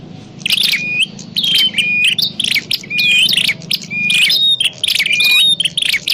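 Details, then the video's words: Prinia calls intended as a trapping lure: high, scratchy chirp bursts about once a second, each trailing into a thin, level whistled note, with a faint low hum beneath. "Suwara Burung Prenjak_klawu Buwat_Mikat"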